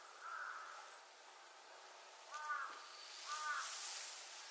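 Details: Brambling in Yamanashi, Japan, gives two short, nasal, slightly harsh calls about a second apart, over a soft background hiss with a faint earlier call.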